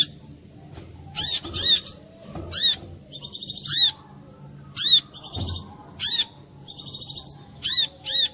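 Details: Brown-throated sunbird singing a clear lure song intended to trigger song from other korlap; piercing arched chirps and brief buzzy trill runs repeat in roughly one-second phrases, with a few faint low thuds.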